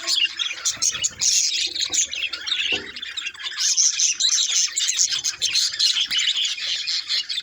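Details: Budgerigars chatter in a busy, high-pitched warble, quick chirps and clicks tumbling over one another, with faint low thumps now and then beneath the flock noise.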